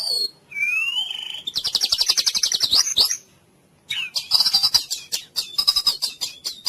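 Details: White-rumped shama song used to rouse a silent, listless bird: a rising whistle, a quick rattling trill, a pause, then bright chattering notes and rapid repeated chips.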